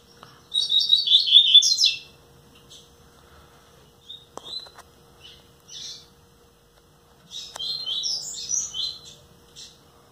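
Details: Captive rusty-collared seedeater, a male about nine months old, nearly ten, singing: a high, rapid twittering phrase of warbled notes, then short scattered notes, then another long twittering run, with a faint steady hum beneath.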